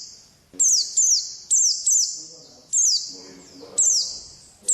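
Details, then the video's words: Oriental white-eye in wild 'ngalas' song style: bright, high, falling chirped phrases roughly once a second, ringing with heavy echo, and faint low murmuring in the gaps. "Suara Burung Pleci Ngalas Burung Kacamata"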